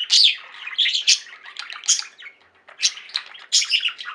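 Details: Budgerigars kept as a home flock warbling and chirping, with bursts of bright squeaky notes and buzzy chatter, a short lull before more loud chirps.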